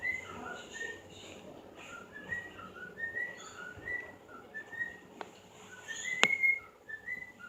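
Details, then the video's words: Pet bird singing indoors, a string of short, clear whistled chirps, some rising and some falling, spaced irregularly, with a couple of sharp clicks and faint room hum. "My bird was singing"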